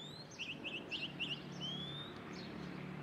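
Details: Lark singing from the top of a pine: a run of four quick, buzzy trilled notes, then a long thin rising whistle, over a steady low rumble of distant traffic.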